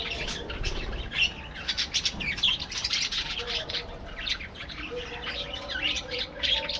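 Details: Many parakeets in a colony aviary chattering continuously, rapid clicking chirps and warbling squawks layered together, with occasional louder sharp notes.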